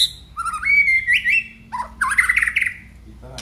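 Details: Aceh white-rumped shama singing: rich rising whistles and warbled phrases, a long sweeping note, then a burst of buzzy, rapid notes, with a low steady hum behind.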